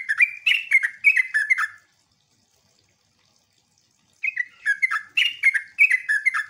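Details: Sooty-headed bulbul song used as a lure to make other bulbuls answer: bursts of bubbly, slurred whistled notes dropping and rising, about two seconds of phrases, a pause, then another loud run of notes.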